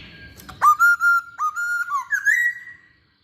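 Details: Energetic masked laughingthrush song meant to attract other birds: a string of loud, pure whistles, each starting with a sharp upstroke and holding a level tone, ending in one long rising whistle that trails away.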